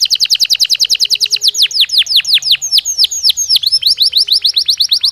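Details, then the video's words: Belgian canary singing naturally, pouring out loud steeply descending whistled sweeps in a fast continuous series, loosening midway into more varied, slightly irregular twittering notes. "Som de 1 Hora com Canario Belga Cantando Naturalmente"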